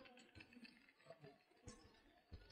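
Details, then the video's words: In Nördlingen, Germany, in summer 2024, storks nesting on a rooftop give dry, wooden bill-clattering in quick rattling bursts, with a man talking over it and faint street sounds around. "вот этот клёкот это Аист не динозавр"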